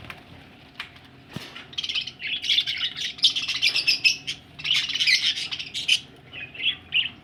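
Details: Budgies ready for laying eggs chatter in a dense, continuous stream of scratchy warbles and chirps, rising after a quiet start and fading into separate short notes at the end.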